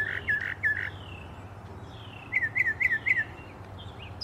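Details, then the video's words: A bird in Alabama in the morning sings two quick bursts of clear, down-slurred whistled notes, three then four at about four per second, with fainter high chips and a soft rumble. "Bird sings a beautiful goodmorning tune"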